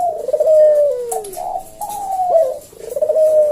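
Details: Javan puter, a collared dove kept as a cage bird, cooing 'kuk deruk' in slow senggang style as a lure recording. Smooth, mellow coos that slide downward run almost without a break, with a faint click at one point.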